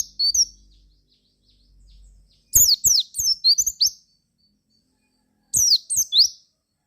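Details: Javan white-eye singing to coax other white-eyes into song: faint chirps first, then a loud cluster of sharp, high descending and rising whistles, a pause, and a shorter closing phrase.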